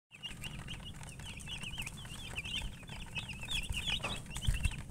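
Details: Baby chicks chirping: a steady stream of high, thin, wavering peeps repeated several times a second, over a constant low rumbling background noise.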